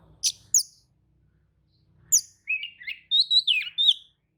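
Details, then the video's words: Oriental magpie-robin responding to another's singing: two sharp high chips, a pause, another chip, then a run of warbled whistles sliding up and down. "kacer manasaja jelas ikut nyaut emosi dengrar kicau kacer seperti kacer ini"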